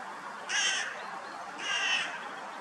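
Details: Eurasian jay at a crow feeding spot with cat food in Munich's Botanical Garden gives two harsh, raspy screeches about a second apart, each about a third of a second long, over low background hiss.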